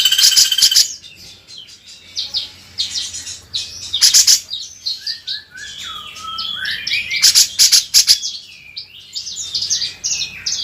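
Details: Grey-cheeked bulbul (cucak jenggot) singing as a vocal tutor: bursts of harsh high chatter mixed with varied whistled, slurred notes, including a lower falling whistle series midway.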